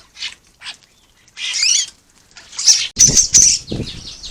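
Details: Several common starlings bathing and squabbling in a garden bird bath on the Isle of Wight, UK, recorded by trail camera: scratchy chirps and a wavering rasping phrase, then rapid squeaky notes over loud wing-flapping and splashing.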